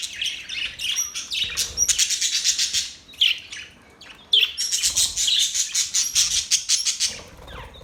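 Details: Happy budgie chatter with rapid rattling ticks and bright chirps in long dense runs, a short pause near four seconds, then more fast scratchy warbling.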